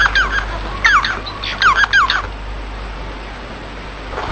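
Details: Bengalese finch: a short phrase of clear, downward-slurred notes with buzzy overtones, about six notes in two seconds, followed by quiet background hiss.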